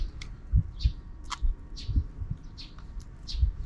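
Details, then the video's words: Sparrows heard in the afternoon from beyond the camera frame: a handful of sharp, bright chirps with short gaps between them, over soft low thuds. "Even in the afternoon, the sparrows are still making noise outside the camera frame."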